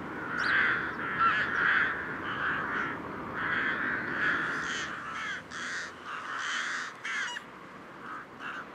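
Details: Rook cawing in hoarse, grating bursts, first in a loud cluster and then as separate spaced caws that fade, with a few thin high notes from other birds behind.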